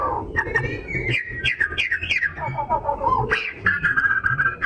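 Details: Oriental magpie-robin (kacer) in full, lively song, used as a lure to provoke other birds: sweeping whistles, warbles and rising slurs flowing with hardly a pause, over faint low background rumble.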